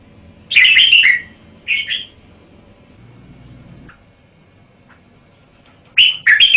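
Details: Red-whiskered bulbul delivering a loud rolling whistled phrase and a quick two-note echo, then a long hushed gap with faint hum before another burst of liquid notes.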